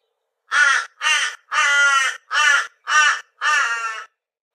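A Torresian crow gives six harsh, nasal caws in about four seconds, the notes spaced irregularly, some short and some drawn out; nothing else is heard.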